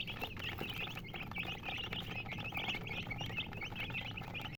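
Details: Chirping colour chickens, a busy chorus of brief high peeps and squeaky rising notes from many birds at once, continuous throughout, over a low background hum and occasional tapping.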